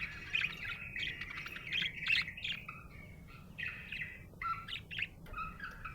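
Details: Happy budgerigar giving bright chirps and trilled warbling phrases, bursts of sharp tweets early on, then softer rising and falling whistled notes separated by short pauses.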